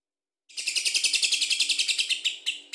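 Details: Chatty lovebird in the long ngekek song style, played to provoke other birds: a sustained shrill trill of rapid, evenly paced buzzy pulses lasting over two seconds, ending in two separate notes.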